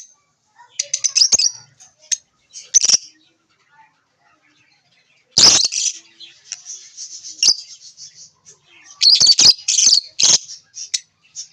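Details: Lovebirds chirping in bright, high, scratchy bursts clustered in several bouts, with short pauses between. Some bursts sound harsher and wing flutters may be heard.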